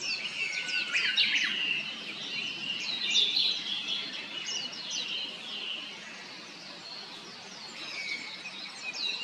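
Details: Blue-and-white flycatcher, a summer visitor newly arrived at satoyama woodland or a mountain stream, singing; quick high chirps and short whistled notes tumble together in busy overlapping bursts with a steady background hiss.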